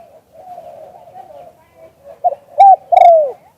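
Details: Spotted dove, auspicious "liu tan" calling, recorded live: a stretch of soft, low, wavering murmuring, then one clear three-note phrase ending in a long downward-gliding coo.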